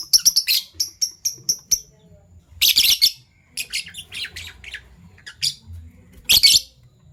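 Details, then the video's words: Fischer's lovebirds, a violet pied and a gold opaline euwing, kept as pets, chirping in the morning: quick series of sharp high tweets, then scattered harsh buzzy squawks and short chirps in bursts, indoors. "Lovebird Chirping Sounds"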